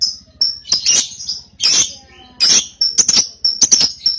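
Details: Young cobalt lovebird used as a lure for ngekek: separate sharp high chirps and short buzzy chatters in bursts with brief pauses between them.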